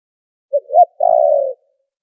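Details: A single noise-filtered spotted dove lure phrase used in trapping: a short low note, a swelling rising note, a brief gap, then a half-second buzzy coo that dips slightly in pitch.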